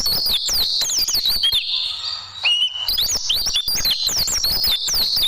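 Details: Oriental white-eye tembakan song meant for training caged birds: two busy bursts of high, swooping whistles, separated near the middle by a brief lull that holds a single rising note.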